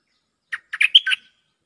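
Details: Lure song of a Cream-vented bulbul answering a resident bird: a short, loud burst of five bubbly chirps, with a clear whistled note near the end, lasting under a second against a silent background.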